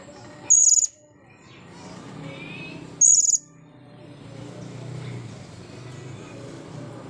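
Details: Two brief, very high, shrill squeaks about two and a half seconds apart from a blue-crowned hanging parrot after its bath, followed by several seconds of low murmuring background noise.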